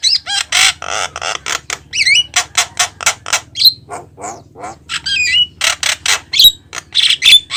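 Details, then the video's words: Energetic Javan myna song: rasping squawks, wavering whistles and quick clicking notes follow one another without a break, noisy and varied throughout. "JALAK KEBO YANG GACOR||BIKIN BURUNG LAIN IKUT BUNYI!!"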